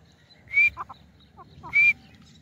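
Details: Grey francolin giving two loud, piercing call notes just over a second apart, each followed by short, low clucks, over a faint background rumble.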